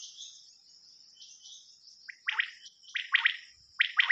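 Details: Rain quail calling at night on a hunting lure cassette: a faint high hiss at first, then loud paired buzzy chirps arriving in twos and threes.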